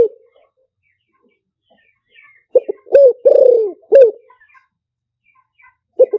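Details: Spotted dove decoy song, liu tan style: a single deep phrase of short coos, a long rolling descending coo and a final clipped coo, framed by quiet gaps.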